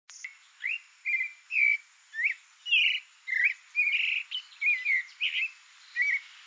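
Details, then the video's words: Creamy-bellied thrush (sabiá-poca) singing: a string of short whistled and slurred phrases, some rising, some falling, spaced roughly half a second apart, with a faint steady high whine in the background. "SOUNDS of CREAMY-BELLIED THRUSH (TURDUS AMAUROCHALINUS, SABIÁ-POCA"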